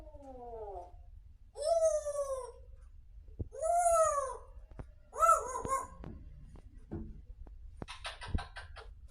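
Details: Grey parrot talking in a sweet voice indoors: a series of drawn-out, arching, meow-like calls, each rising then falling, a clipped wavering note, then faint clicks and rustles.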